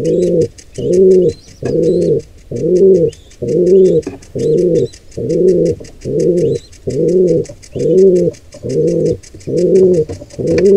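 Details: Pigeon sounds as an intruding pair of wild pigeons attacks a squab in the nest: a long run of evenly spaced, throaty low coos, roughly one per second, over soft high twittering from other birds.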